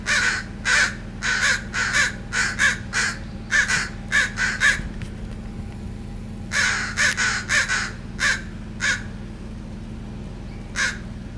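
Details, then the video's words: Crows nesting in a backyard in June 2017, a pair that raised young there the previous year, giving territorial harsh, hoarse caws in quick bursts of three to five, repeated over a steady low hum. "Crows Being Territorial Caw Noises"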